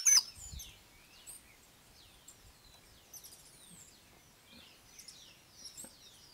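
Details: Hummingbirds in Colombia give thin, very high squeaky chips and quick downslurred squeals, scattered irregularly through the clip, with a sharp knock at the start.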